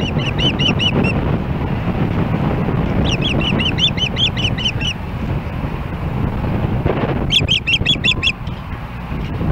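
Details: Ospreys at a nest in Hellgate Canyon, Missoula, Montana, on July 4, 2016, calling as another osprey approaches: runs of sharp, high whistled chirps repeated rapidly in three bursts, over steady low wind rumble.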